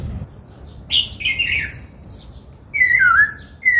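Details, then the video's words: Laughingthrush under song training, with soft high chirps, a loud scratchy burst, then clear descending slurred whistles. "Luyện Khướu hót giọng bắt cô trói cột, Tiếng chim Khướu hót"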